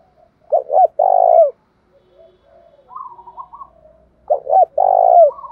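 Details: Two loud 'thổ pha' phrases from a Spotted dove, played to rouse a captive bird into song. Each has twin short notes and a long buzzy coo dropping in pitch. Quieter, higher wavering coos fill the gap between them.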